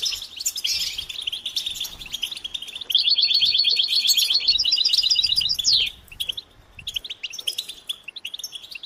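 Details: Group goldfinch song used to spur silent males to sing and get excited: high twitters, then a loud, rapid buzzy trill lasting about three seconds, followed by quieter scattered chirps.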